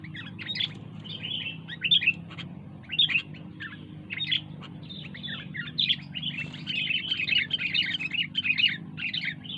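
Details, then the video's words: Sooty-headed bulbul singing vigorously, short bubbly chirped phrases at first spaced out, then running together into a busy continuous chatter, with a steady low hum throughout. "Burung kutilang gacor"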